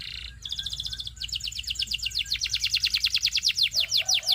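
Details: Song of a Belgian singing canary: a short rolling trill shifts into a steady series of bright, downward-swept whistled notes that quicken and grow louder, over a faint low hum.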